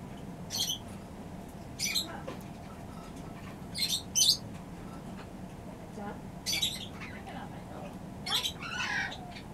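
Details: A newly arrived cockatiel gives short, harsh, high squawks in uneven bursts about every two seconds, over a low indoor hum.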